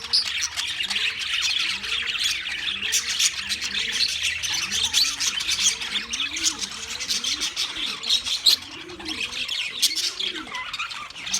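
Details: Wild budgerigars keep up high, busy chattering and chirping. Beneath them a dove repeats soft, low cooing phrases, rising and falling, through most of the recording.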